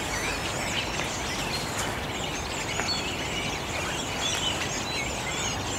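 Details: Many redwings singing sub-song in unison in the morning in Greenwich Park, London, give a soft, continuous twittering babble of squeaky, scratchy notes over a steady background hiss.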